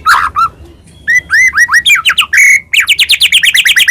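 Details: White-rumped shama song for provoking other birds: varied opening notes, a run of curving upswept whistles, a long rich harmonic note, then a rapid series of repeated downslurred chips.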